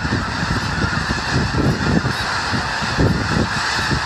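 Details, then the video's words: Snow geese wintering in Skagit Valley near Conway, WA, a flock on farmland along the Conway Frontage Road, having come from Wrangel Island, Russia. Constant massed honking from many birds blends into a steady roar with a low rumble. "Snow Geese near Conway, WA"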